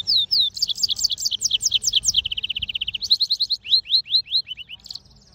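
A goldfinch mule sings a fast, varied run of high liquid twitters and trills, with buzzy rapid stretches and rising slurred notes; faint low background hum.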